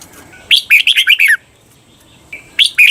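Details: Red-whiskered bulbul kept as a cage bird, singing the doubled 'berl' song style used for training. A lively phrase of chirpy, slurred notes ends after about a second, then a pause, a soft steady whistle, and the next phrase begins.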